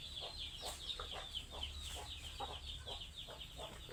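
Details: Hungry chickens: faint short clucks scattered under a busy wash of high, thin chirping and peeping, with a low rumble underneath.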